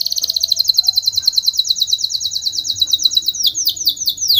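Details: Spanish Timbrado canary song for training, made of fast evenly repeated ringing notes at a steady high pitch, then breaking into louder, slower downward-sweeping notes near the end.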